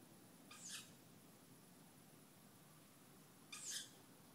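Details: Two young tawny owls calling at night, a nightly session starting around 23:07, give two harsh, wheezy screeches about three seconds apart, high and hissing, over a quiet night background.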